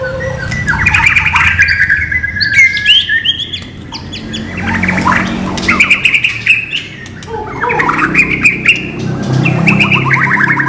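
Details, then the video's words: White-rumped shama, a non-puffing style, singing loud rapid phrases of buzzy trills and harsh squawky notes, broken by short quieter gaps, with a low background hum. "MATERI BURUNG MURAI BATU NON GELEMBUNG"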